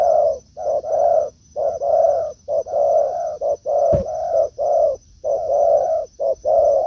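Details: Forest encounter between a decoy spotted dove and a wild one: dense runs of mellow low coos alternating short and long, roughly once a second, one sharp click midway, and a constant faint high-pitched whine.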